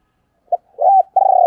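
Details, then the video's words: Female spotted dove cooing in the 'thổ đồng' voice, a call played to lure wild males: a short low note, then a bent hoarse coo and a long steady coo, all close and clear. "tiếng cu mái"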